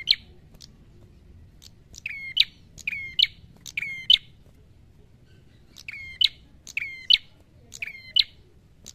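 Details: Red-headed prinia singing a vigorous fighting song: phrases of a sharp click, a flat whistled note with bright overtones, and an ending burst, repeated in quick groups with short pauses. The background is quiet.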